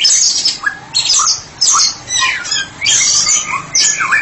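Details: Therapy-specialist white-rumped shama in ngeplong song: loud bursts of high chattering mixed with short slurred whistles, arriving in phrases separated by short gaps, one ending in a dipping whistle.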